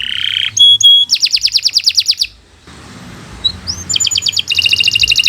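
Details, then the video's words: Kenari Nusantara canary in lively gacor song, a master recording for young birds: buzzy note, pure whistles and a fast pulsed trill, a quieter noisy pause with faint chirps, then another rapid high trill. "Kicau Burung Kenari 116 II GACOR PANJANG"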